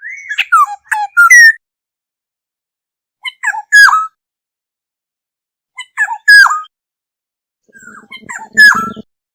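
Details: Black-hooded oriole flock call used as a lure: groups of short, slurred, falling whistled notes with harsh overtones, given in bursts about every two to three seconds. A faint low buzz sits under the last burst.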